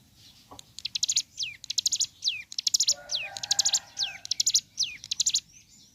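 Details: Ciblek gunung (mountain leaf warbler) singing energetically in the morning: bursts of high, buzzy stuttering notes broken by clear downward-sliding whistles, repeated in quick phrases, with a faint lower warble beneath.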